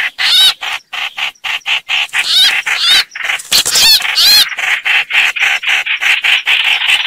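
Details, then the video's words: Chao chảo bird, a call said to draw birds readily into traps: fast, harsh chattering in short bursts a fraction of a second apart, with a few bright rising whistled notes mixed in. "Tiếng Chim chao chảo"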